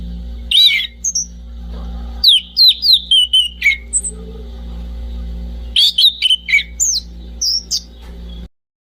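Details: Two bursts of orange-banded thrush song, each a quick string of sharp whistled and squeaky notes stepping downward, separated by a silent gap, over a faint continuous hum.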